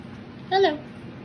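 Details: A macaw at a parrot rescue, described as one that won't stop talking, says a single short, word-like syllable, voiced and falling slightly in pitch, lasting about a quarter second, over quiet room hum.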